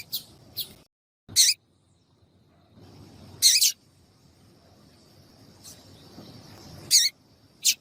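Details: Female double-collared seedeater piping to make a male sing, with irregular high, sharp chirps, a few single and some doubled, scattered over eight seconds amid faint low rumble.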